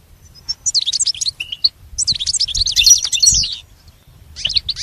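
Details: Recording for teaching a pet goldfinch to sing: two bursts of quick, high, liquid twittering with a short whistled note between them, then quiet with a few faint chirps at the end.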